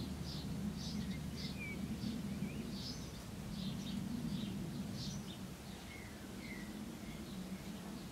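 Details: Common redstart at its nesting site in a barn wall at Llaingyfre, 24 May 2012: rapid series of short, high chirps, several per second, with occasional faint thin whistles, over a steady low hum and background noise.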